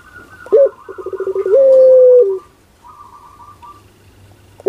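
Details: Ringneck dove cooing in the pelung style: a sharp rising note, rapid pulsed coos, then a long level drawn coo falling at the end, while a higher chattering bird note sounds faintly in the background.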